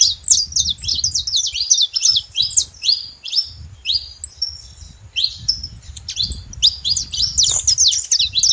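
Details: Several saffron finches living free in the wild chatter in fast bursts of high, bright chirps, each note a quick downward slur, with a brief pause in the middle before the burst resumes; soft low background rumble.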